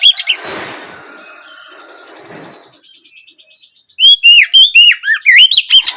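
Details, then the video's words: White-rumped shama in ngeplong style, an evening lure for stimulating other shamas to answer; after a stretch of muffled noise and a faint rapid trill, bright, quick rising and falling whistles pour out in a rapid sequence. "Pancingan suara Kacer ngeplong sore hari untuk merangsang Kacer supaya lekas nyaut bunyi"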